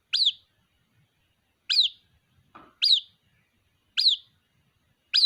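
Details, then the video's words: A white-breasted waterhen chick keeps calling its mother with shrill peeps that jump up and drop away, five in a row about a second and a bit apart, plus one short soft rustle. "Suara anakan Burung Ruak Ruak, memanggil Induk Ruak"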